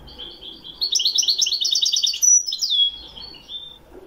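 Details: Moroccan European goldfinch, Wedani song: a quick rolling series of bright, bubbling high notes, then a sharp upslurred whistle and a few softer trailing twitters.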